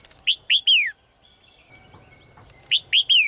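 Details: Caged female bird voices two rapid three-note whistled phrases about two seconds apart, each closing with a long falling whistle, with faint thin calls and light rumble in between.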